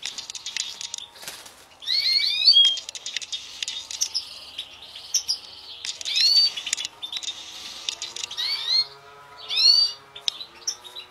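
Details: Song of a captive European goldfinch mutation bred in 2016: tinkling twitters and upslurred whistled notes in bursts every couple of seconds, with brief buzzy passages between. The background is quiet.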